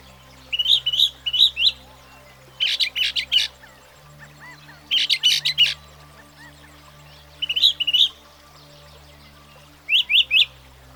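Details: Northern Mockingbird, capable of learning up to 200 sounds, delivers short bursts of chattering and harsh buzzy notes separated by pauses of one to two seconds, the phrases changing from burst to burst.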